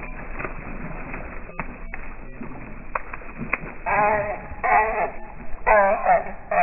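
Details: Eurasian coots battling over a pond, a resident reclaiming territory from an intruding family with three nearly adult young; after a few clicks and splashes, a rapid run of loud, nasal, harmonic barking calls fills the final seconds.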